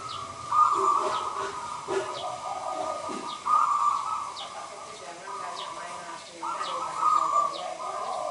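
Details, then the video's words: Actively singing local zebra dove giving a run of steady, mid-pitched cooing phrases that start and stop in uneven bursts, over a background of soft, brief high chirps from other birds. "Perkutut lokal gacor Merbok Turtledove Zebra dove."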